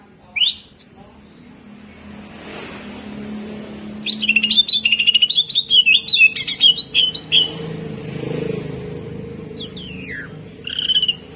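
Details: Greater green leafbird singing jamtrok hyper with kejet-kejet and harsh shots. A brief sharp note, then about three seconds of rapid rattling, chattering notes, and a final scratchy flourish.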